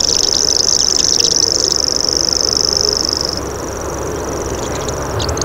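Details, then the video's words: Loud insect-like reeling of a common grasshopper warbler for over three seconds, then fading and continuing softer, with short chirps of other birds and a constant low drone behind. "Common Grasshopper Warbler Call"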